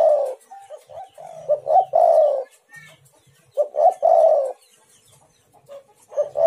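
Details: Calling spotted dove used to lure other doves: two loud phrases of stuttering low coos ending in a longer descending note, about two seconds apart, with soft murmured coos and a faint low hum behind.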